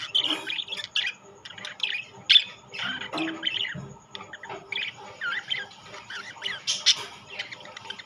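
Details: Rainbow and classic budgerigars give separate, clipped chirps and twittering phrases, spaced by short gaps, some notes bending up and down, with a few low knocks in the background.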